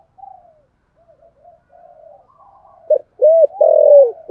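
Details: Spotted dove, a decoy bird, cooing in the 'thổ' voice style with a two-part ending. Faint low murmurs come first, then loud, low, hollow coo notes in a quick burst near the end. The setting is quiet.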